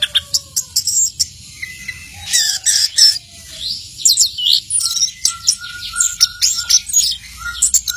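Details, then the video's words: Orange-headed thrush singing intensely: a busy, varied run of high chirps, sharp clicks and short whistled notes, with some lower level whistles mixed in, delivered in quick bursts throughout. "Anis merah teler tak kenal tempat"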